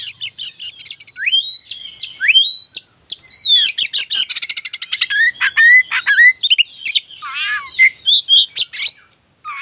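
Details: White-rumped shama song used as a lure to excite shamas and bring silent birds back to song, phone-recorded: fast mix of upward-sweeping whistles, dry rattles and chattering, long continuous varied phrases.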